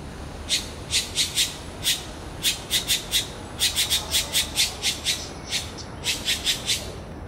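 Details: Red-billed blue magpie calling non-stop at a huge turtle it sees, harsh squawking notes repeated in quick bursts of two to four, roughly every third of a second, over steady background hiss.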